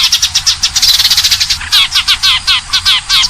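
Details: Sparrow call from 2019 intended as a trapping lure: loud, quick series of high chirps and short twittering notes, steadily repeated, with a low rumble underneath.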